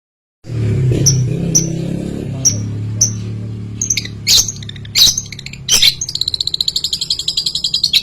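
A long-tailed shrike sings sharp, high chirps at irregular intervals, then breaks into a rapid, buzzy rattling trill, over a steady low hum.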